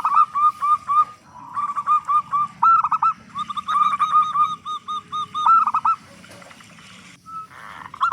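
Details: Loud local zebra dove, singing actively as a lure so other doves begin singing. Several runs of rapid arched coos with rolling flourishes, then a brief single note after a pause.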